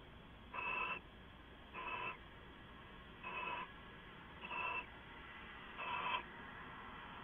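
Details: Owls at night on a live camera, giving five short raspy bursts at fairly even intervals of just over a second, each harsh and broadband above a constant background hum.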